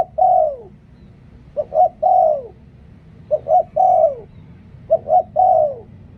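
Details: Captive decoy spotted dove repeating its mellow song. A brisk double note leads into a sustained, descending coo, and the phrase recurs about every one and a half seconds. A soft, steady low-pitched hum sits in the background.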